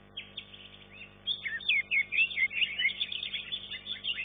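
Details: Contest green leafbird, third-placed in its class, delivering quick looping whistles and chirps that become loud and dense after the first second, notes tumbling rapidly up and down.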